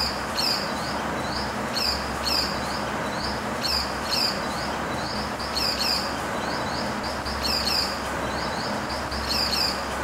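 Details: Pied falconet (Microhierax melanoleucos), call.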